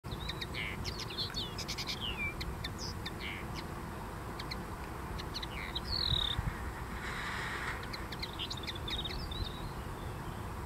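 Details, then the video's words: Common linnet singing on a dune, a run of short twittering notes and thin descending whistled slurs at intervals, over steady low background rumble. "O tenor da duna. #liñaceiro #pardillo"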